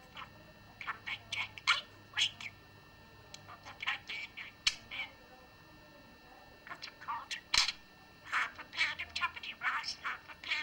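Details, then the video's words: A talking budgerigar reciting rhymes and sayings indoors, a run of rapid, scratchy, high-pitched syllables in phrases, with short quiet gaps between them. "Incredible Speaking Bird Says Prayers & Rhymes"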